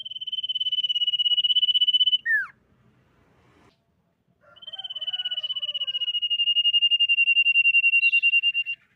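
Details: Common iora luring song: a long, fast, high trill ending in a steep downward slur, a short gap with soft twittering, then a second long trill building in volume.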